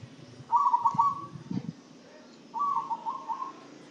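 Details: Zebra dove fed a herbal spice mixture to keep it singing and healthy; two soft, staccato trilled coo phrases about two seconds apart, with faint low thumps between them.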